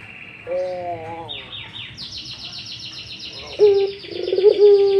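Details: Barbary dove in breeding mood, giving the excited ngipik coo: a deep, loud, purring coo in the last second and a half, after softer tonal notes, with many high, rapid twittering chirps from other small birds throughout.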